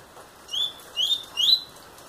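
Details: Double-collared seedeater, a young bird of eight months, sings three evenly spaced rising whistled notes, thin and clear, roughly half a second apart.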